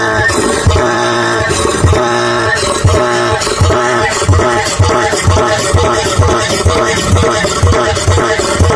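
Loud beat-driven music with heavy bass thumps and layered tones, no animal sound.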